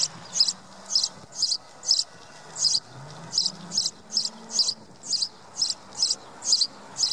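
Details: House sparrows in the Wittlicher Tal, recorded in 2017, giving a steady run of sharp, high chirps about twice a second, fifteen in all, over a faint low hum.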